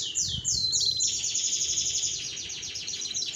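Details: A female domestic canary in breeding condition rolls: a few falling whistles open into a fast, even trill of repeated high notes sustained for about two seconds, softer and more broken than a male's.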